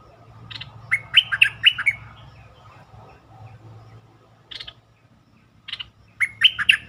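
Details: Bulbul song broadcast as a lure to excite birds: quick bubbling whistled phrases, separated by harsh buzzy chips, with a low hum underneath.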